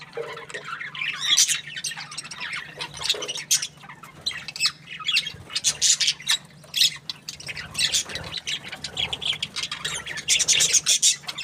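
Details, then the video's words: Budgerigar chirping happily: rapid clicking chatter mixed with harsh squawky bursts and short warbled phrases, running nonstop for over ten seconds above a constant low background hum. "Happy budgie chirping sounds"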